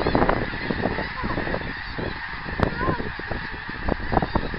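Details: Geese calling in flight on 24 January 2010, a dense run of short honks repeating through the whole stretch over steady low rumbling background noise.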